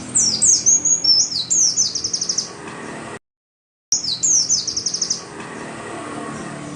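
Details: Oriental white-eye song for prompting caged birds to sing: lively high twittering phrases of slurred notes ending in fast repeated chips, a brief silent break, then the same busy pattern again over a low hiss.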